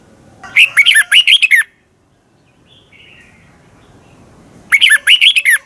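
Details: Fast, fiery song of a caged Red-whiskered bulbul from Thailand, used as a teacher voice: two rippling phrases of about six quick whistled notes each, four seconds apart, with a faint thin whistle between them.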